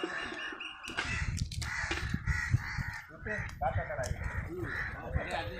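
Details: Crow making calls while eating, with a squirrel nearby; scratchy caws blend into one another across the recording, mixed with low rumbling noise and voices.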